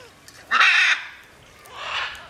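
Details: A single loud, harsh macaw squawk from birds flying free, followed by a softer, drawn-out rasping call further off.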